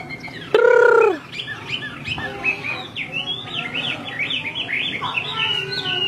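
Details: Female Chinese hwamei giving repeated calls that agitate the male, used to stimulate singing: a short loud nasal note, then a lively tangle of bouncing whistled slurs and chirps continuing steadily.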